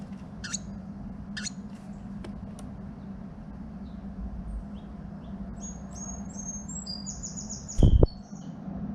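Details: A female Carolina wren, building a nest in a garage in March, calls to her mate with thin, high chips, then a quick run of short, high, squeaky notes near the end, over a steady low hum and one soft thump.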